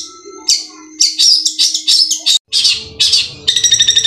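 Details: Long-tailed shrike (cendet) from Madura singing actively in the tembakan kuntilanak style with bessetan and natural material: harsh, buzzy high bursts in rapid sequence, a short gap, then a fast run of clipped repeated notes, with faint steady tones behind.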